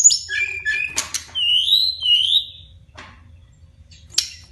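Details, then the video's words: Brown-chested jungle flycatcher, long rolling song style: sweet whistled phrases, a sharp burst, then drawn-out rising-and-falling slurred whistles, fading to a few faint notes and a final sharp chip. "SIKATAN RIMBA DADA COKLAT NGEROOLL PANJAAAANG"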